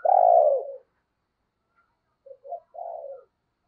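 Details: Spotted dove used as a lure for wild doves. A long, full, descending coo is followed by a pause, then two clipped soft notes and a gentler drawn-out coo.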